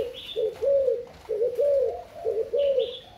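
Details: Spotted dove of the Thai type giving soft, low cooing notes in short arched phrases, several coos run together about once a second, with a faint higher whistle from another bird at the start and end.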